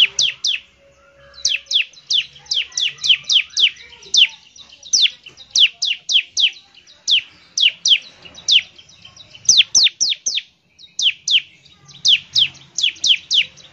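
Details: Bar-winged prinia singing vigorously to trigger song in other prinias: long runs of sharp, quick high chirps in rhythmic clusters, with a few short pauses.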